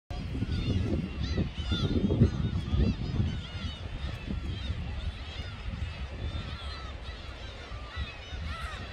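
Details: A flock of gulls at Galnam Port, Samcheok, on Korea's East Sea coast in July 2021 gives overlapping, nasal, wailing and mewing calls throughout, over a low rumble of surf and wind.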